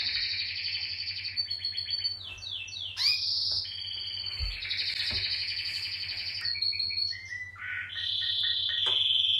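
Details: Friendly pet canary in full song: fast rattling trills, rising and falling slurred whistles and bright high tours running without pause, with a constant low hum behind.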